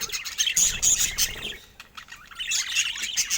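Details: Pet budgerigars making cheerful sounds: dense, high chirping and scratchy warbling with sharp squeaks, fading briefly in the middle before the busy chatter resumes.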